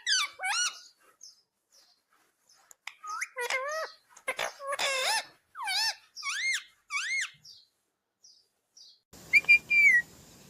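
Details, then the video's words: Indian ringneck parrot talking loudly; many short, swooping, harmonic voice-like syllables strung in rapid phrases, then a pause and a final burst over rustling noise. "Natural Sound of Talking Ringneck Parrot"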